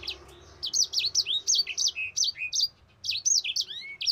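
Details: Rolling song of a Mozambique canary used to train other birds, rapid repeated high whistled notes with downward slurs, one short pause midway before the run picks up again.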